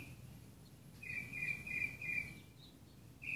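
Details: Northern mockingbird's morning song at a home in Burbank, California, 7/1/2016: a run of four or five even, high chirping notes in steady succession, then a brief pause and a new note, over a soft low background rumble.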